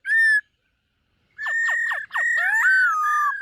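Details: A white-cheeked laughingthrush, a dancing-type bird, trains its voice with morning song: a single short whistle, a pause, then three descending strokes over a sustained whistle and a rising, wavering phrase.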